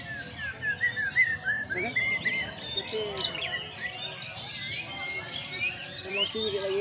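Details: White-rumped shama, a caged bird sunbathed as therapy to free its voice and its repertoire of imitated phrases. It sings clear, slurred whistles that rise and fall, mixed with quick chattering notes, and faint voices sound underneath.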